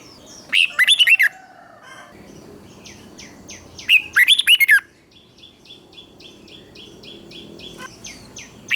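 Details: Red-whiskered bulbul, Thailand, singing a southern-style master song used to stimulate bulbuls and train chicks: two rich warbled phrases, then a run of quick, evenly repeated high chirps from another bird.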